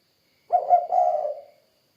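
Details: Spotted dove giving a single soft cooing phrase, two low hooted notes run together, the second longer and slowly fading.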